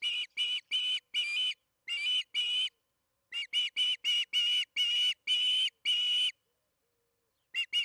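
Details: Recorded by the Charlo nest camera at 8:15 pm MDT on June 21, 2019, during evening feeding: an osprey utters rapid series of piercing whistled chirps, short and long notes alternating, then a pause of about a second before two final chirps.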